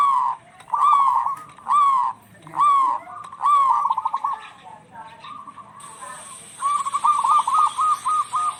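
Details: Local zebra doves singing back and forth, kept as a lure for stressed or silent birds. Separate hooked cooing notes, then a quick stuttering trill of soft coos, with a steady high hiss near the end.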